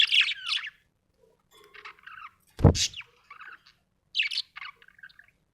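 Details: Cheerful budgie making raspy chirps and soft chatter, broken by one sharp knock, then a couple more bright chirps and quiet twittering.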